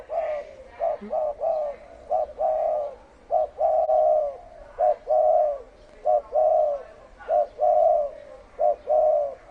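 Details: Deep-voiced 'thổ ồm' spotted dove song aimed at provoking wild doves: steady, fast-repeated pairs of a clipped coo then a longer mellow coo, roughly every second, with faint room noise.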